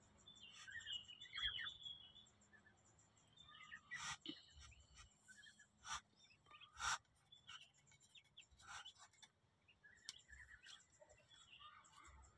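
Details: Hatching Muscovy ducklings: faint, high, chirping peeps in short clusters, with sharp clicks and taps from the eggs or tray between them, over a quiet background hum.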